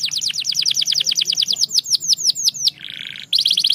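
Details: Canary delivers a rapid, even run of high falling whistled notes, about six per second, then breaks into a dense buzzy roll before resuming quick bright trilled notes.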